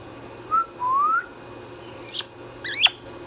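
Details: Indian ringneck parrot, a pet bird indoors: a brief whistle and a longer rising whistle, followed by two harsh, buzzy screeches about half a second apart.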